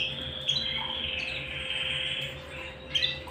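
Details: Canary at home giving a sustained high rolling trill that holds a level pitch, broken by a couple of short sharp chirps near the start and end, with a faint steady hum underneath.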